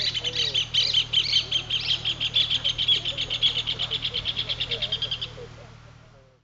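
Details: White Woodpecker excavating a nest hole in a palm tree, its mate watching nearby, at Porto Jofre in Brazil's Pantanal, gives a fast, harsh chattering series of high notes that trails off after about five seconds, over a low steady hum.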